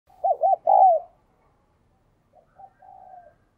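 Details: Spotted dove with a 'đồng kim' voice, a very diligent cooer: one low cooing phrase of two short notes and a longer slurred, descending coo, followed by fainter, softer drawn-out coos. Quiet background.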